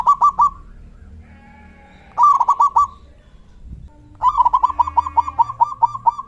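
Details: Loud-voiced local zebra dove calling to provoke other doves to reply with its 'kung' sound. Three bursts of staccato coos, the last a long, evenly pulsed series of many notes.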